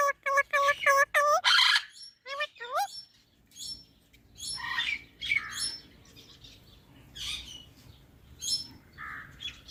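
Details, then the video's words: Parrot talking: a fast series of five bright, evenly repeated notes, then scattered squeaks and soft, muttered, speech-like chatter over faint background hiss. "Parrot talking videos"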